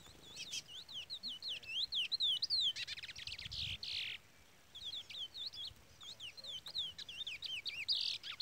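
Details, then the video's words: Brown-plumaged chestnut-bellied seed finch singing in the Trola style while a chick peeps. Fast, rolling warble of rising and falling whistled slurs, broken by brief buzzy bursts and a short pause midway. "Curió Pardo cantoria Trola / Curió Pardo Trolinha"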